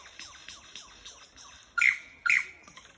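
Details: In Dandenong, Australia, lyrebirds give a series of soft falling whistles repeated about every quarter second, then two loud, sharp, ringing blasts.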